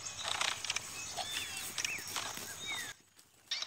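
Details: Two male chestnut-bellied seed finches (curiós), a brown and a black, face off in a quick fight on a sunny day: clear whistled phrases with rising and falling slurs and quick high notes over steady hiss.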